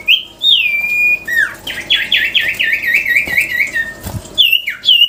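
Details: Melodious sirtu song: a clear sustained whistle, then a fast rippling trill of looping notes that slowly falls in pitch, ending with sharp slurred whistles.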